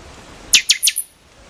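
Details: Single short phrase of a buffy-fronted seedeater: four quick, metallic, cracking notes dropping in pitch, lasting about half a second, with little other sound.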